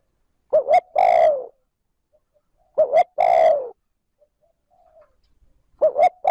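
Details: Spotted dove, a kept decoy bird, cooing in the smooth continuous 'trơn ròng' style to stimulate wild doves. It gives a quick double note and then a long, drawn-out falling coo. The phrase comes three times against a quiet background.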